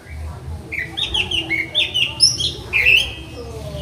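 Orange-headed thrush singing a fast, varied run of clear whistled and slurred phrases, some sweeping up high, over a faint low hum.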